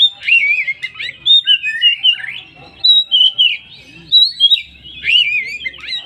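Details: Oriental magpie-robin lure song, full 'poci' style, used to make other magpie-robins join in: bursts of twisting whistled phrases and fast slurred notes separated by brief pauses.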